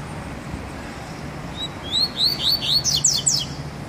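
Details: Male coleiro (Double-collared Seedeater), a caged pet on its first test outing, sings one phrase: soft rising whistles building into fast, sharp downslurred chirps lasting about two seconds, over a low steady hum.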